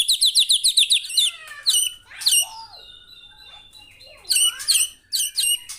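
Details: Murai (white-rumped shama) in gacor song: a rapid trill of repeated bright notes, then sweeping slurred whistles and a late burst of loud, sharp chirps.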